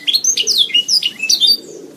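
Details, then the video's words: Canary song meant for training songbirds: a short burst of quick, high whistled slurs and chirps, bright and loud, fading slightly near the end. "Masteran Suara Burung Kenari"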